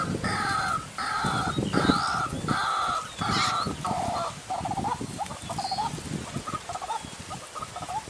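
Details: White-breasted waterhen lure call for trapping, dry season: loud, harsh, nasal croaks in broad blocks, repeated about once a second, then breaking into quicker, shorter rising notes, with faint higher chirps from other birds.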